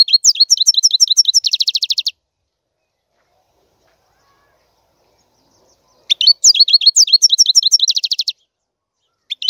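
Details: European goldfinch song: two bursts of rapid, high twittering with quick upslurred and downslurred notes ending in a fast buzzy trill, separated by about four seconds of silence, then a brief note at the end.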